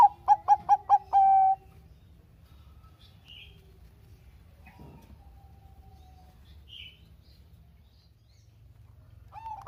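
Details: Bangkok zebra dove song used to stir idle doves: a burst of five rapid, evenly spaced staccato coos ending in a held, flat note, then mostly silence with a few faint distant chirps.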